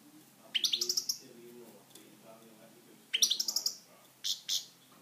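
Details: Pet European goldfinch singing: two bursts of rapid, high twittering notes with sweeping chirps, a short pair of notes after, over a faint low hum and background murmur.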